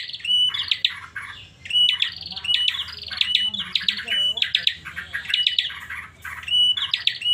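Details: Bar-winged prinia kept by its owner, uttering an odd call: repeated phrases of fast, piercing chirps and brief flat whistles with harsher buzzy fragments, steady rhythm near one phrase a second, faint low hum behind.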